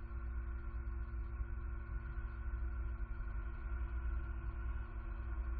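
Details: A deep, fluttering rumble with faint steady hum tones persists throughout, and nothing else stands out.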